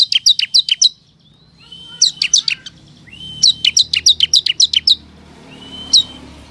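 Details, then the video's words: Vigorous ciblek kristal lure song for calling in wild forest ciblek. Bursts of fast, high, ringing chips alternate with long flat whistles that lead into each burst, and the phrases are repeated several times. "Pancingan Ciblek Kristal Gacor, Pemanggil Burung Ciblek Hutan Agar Langsung Respon"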